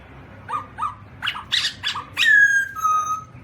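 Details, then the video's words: Black-throated laughingthrush, 2017: soft paired notes, then several harsh, noisy bursts, ending with two long, clear falling whistles. "Black-throated laughingthrush (Garrulax chinensis): Funny Sounds"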